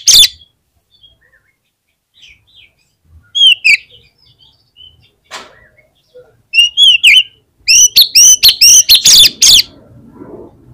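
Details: Oriental magpie-robin in full song, used as a lure to prompt other magpie-robins to sing: scattered sharp whistled notes, then a fast run of loud, repeated, upward-flicking chattering phrases near the end.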